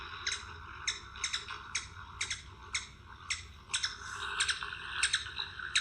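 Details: Ruby-throated Hummingbird, a migratory species said to chip usually only when flying: sharp, high, dry chips and squeaky chitters, singly or in quick bursts about every half second, over faint low room hum.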